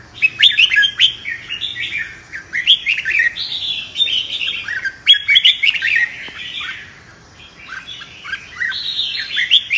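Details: Red-whiskered bulbul singing a competitive fighting song for training: a run of lively whistled, slurred phrases repeated with short gaps, sharp clicks scattered throughout.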